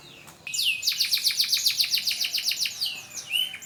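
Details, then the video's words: Canary learning to sing after its moult, bursting into a rapid rolling trill of bright, high, downward-sweeping notes repeated steadily, ending with a short rising whistle. "BURUNG KENARI AF BELAJAR BUNYI PASCA MABUNG"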